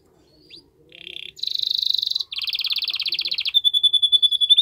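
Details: Canary singing a strong song meant to stimulate the female to mate: short buzzy trills shifting between pitches, a dense rapid rattle, then a clear high whistled series of evenly spaced notes.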